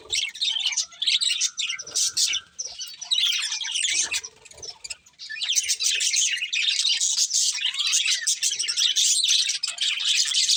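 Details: Breeding pair of budgerigars chirping and squawking: bursts of dense high chatter with harsher squawky notes, a quieter lull around the middle, then sustained twittering resumes.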